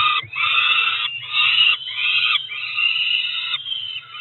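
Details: At a Cromer nest in June, two Peregrine falcon chicks of about four weeks keep begging at feeding time; drawn-out rasping screams, each about a second long, following one another almost without pause, ending with a softer call.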